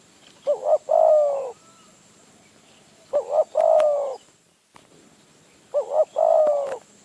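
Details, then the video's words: Wild spotted dove in Phrae province, Thailand, lured by a decoy bird; three low cooing phrases, each a short double coo then a longer drawn coo, repeated about every two and a half seconds, with faint rural background hiss. "นกป่า มาเร็ว มาดุ"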